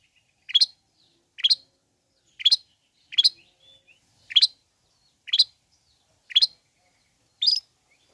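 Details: Long-tailed shrike song, played to stir sluggish, unexcited shrikes into excitement and make them sing along: short sharp chirps, each a quick two-part note, repeated about once a second in a steady series against silence.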